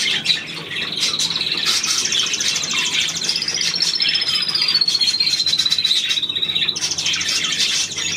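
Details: Budgerigar chatter: a continuous high, scratchy warble with clicks and buzzy notes, crossed midway by a long clear whistle that slides gently downward before the busy chattering resumes.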